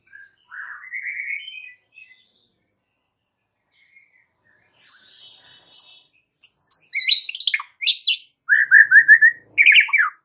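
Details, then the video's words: White-rumped shama master song to draw a reply from other shamas: a rising whistled phrase, a pause, then sharp high chips and buzzy notes, closing with a string of rapid slurred whistles. "7 DETIK AUTO RESPON MURAI BATU ANDA DENGAR MASTERAN MURAI BATU SATU INI"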